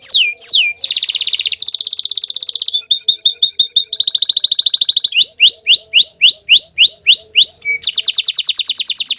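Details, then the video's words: Bottle-green canary singing a fast, varied song: swooping whistled notes, then dense buzzy rolls and rattling tours, each phrase a rapid run of identical high syllables at a different pitch, with hardly a pause. "Suara Merdu Burung Kenari Hijau Botol"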